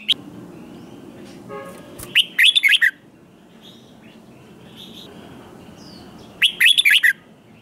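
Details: Red-whiskered bulbul singing competitively to provoke newly caught birds: two separate short bursts of fast, bright warbled notes about four seconds apart, with soft faint chatter between them.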